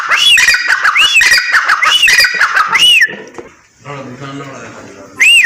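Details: Female grey francolin (teetar) calling: a run of shrill, arched, rising-then-falling notes repeated about once a second, then a short quieter gap with faint murmuring before one more loud arched note.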